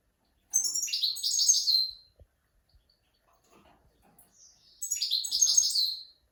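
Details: Goldfinch song for training mules and young goldfinches, with two rapid, high, trilling twitter phrases of over a second each, a quiet gap between them broken only by faint soft ticks.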